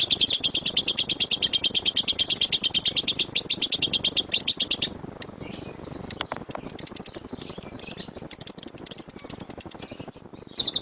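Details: Lovebird in 'tembakan' style for use as a training recording. Rapid high chatter runs continuously for several seconds, then breaks into shorter broken bursts and twittering fragments with pauses.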